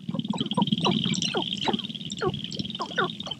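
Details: Sharp-tailed grouse at a lek in the morning, males displaying for a visiting female, recorded with a Rode microphone; quick descending whistled yelps and clucks from several birds, roughly three or four a second, over a low drone.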